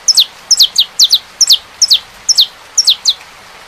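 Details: Series of paired, downslurred chip notes from a saffron finch, eight couplets in quick succession, piercing and high-pitched, over low, even background noise.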